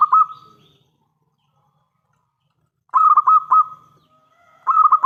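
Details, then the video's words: Song of a local zebra dove with a strong, crystal-clear voice, played as a lure so other doves reply at once: short rapid bubbling coo phrases separated by silence, with a faint low hum underneath. "Perkutut lokal gacor suara besar pancingan paling ampuh untuk semua jenis burung perkutut"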